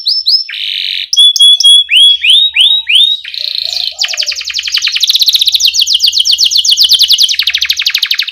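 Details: Canary lure song in ngerol rolling style with cuit cuit chirps, used to get young canaries singing quickly: a few clipped chirps and a series of sharp rising whistles, then a long fast buzzy roll repeated many times a second.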